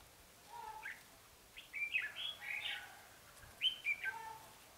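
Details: Red-whiskered bulbul used as a decoy to lure wild birds: short chirpy whistled phrases in bursts around two and four seconds, with faint lower notes and a quiet background.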